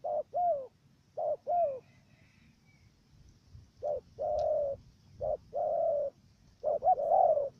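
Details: A trap decoy dove in Cà Mau, Vietnam, gives paired stuttering coos, short then long, with a pause in the middle before longer sustained coos resume; faint background rumble.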